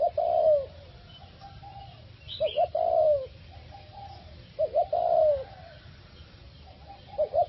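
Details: Caged four-year-old decoy spotted dove cooing steadily after being moved to a new cage and a new area. Low, hoarse coos come in short two-to-three-note phrases, repeated three times over several seconds, with faint background hiss.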